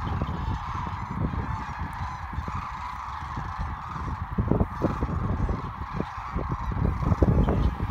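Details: Migrating sandhill cranes on the Platte River, Nebraska, in March 2017: a dense, continuous chorus of rolling, rattling calls from many birds, over low rumbling thumps of wind or handling noise.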